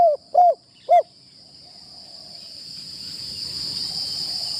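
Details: Trapping decoy spotted dove, first time in the training tent: three quick, low, hollow coos in the opening second. Quiet rustling follows under a steady, shrill insect drone.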